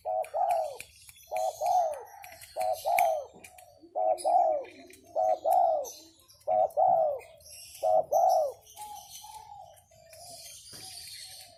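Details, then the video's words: A tame, high-grade spotted dove cooing steadily in evenly spaced phrases roughly every one to one and a half seconds, each a rounded, arched coo, some doubled, fading to softer notes at the end with faint rustles. "Suara Derkuku masteran"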